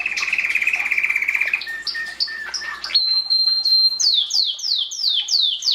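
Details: Belgian canary singing during the 2016 breeding season to encourage chicks: a fast buzzy trill near mid-pitch, then steady held whistles, ending in a series of quick descending slurred notes repeated about twice a second.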